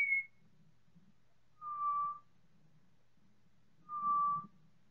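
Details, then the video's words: Pied Butcherbirds, four singing together in chorus, time-stretched several times: three long, clear, flute-like whistles, one high and two lower steady tones, about two seconds apart, over a faint low rumble. "4 Pied Butcherbirds singing in choir"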